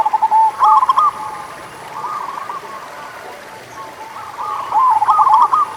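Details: Local zebra doves singing as a lure for doves reluctant to sing: short trilled coo bursts, a quieter stretch of softer rolling notes, then a loud bubbling phrase near the end.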